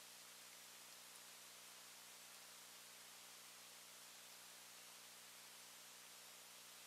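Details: Very quiet, even electronic hiss and static throughout, with no animal sound.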